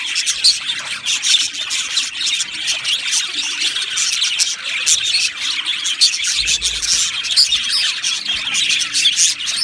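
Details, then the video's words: Aviary of Australian budgies singing and chirping together; steady high-pitched warbling babble with rapid clicks and brief squeaky whistles, many birds calling over one another. "Beautiful Budgies Birds Singing and Chirping Sounds"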